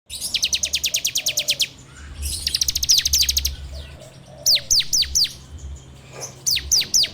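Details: Bar-winged prinia song used as a lure for training birds, recorded on an Android phone: rapid series of high, ticking notes, then a second burst, followed by loud downward-slurred whistled notes in pairs and threes.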